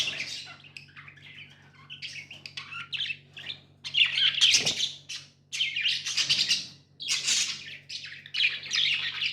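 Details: Pet budgies chirping in loud bursts of scratchy, warbling chatter separated by short pauses, with a low hum throughout.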